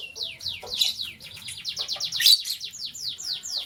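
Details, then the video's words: Morning lovebird chatter, a green bird chirping while a blue one scrambles for vegetables; a continuous stream of quick, high, downward-sweeping chirps repeated several times a second, with faint low rustling beneath. "Green LoveBird Chirping Sound"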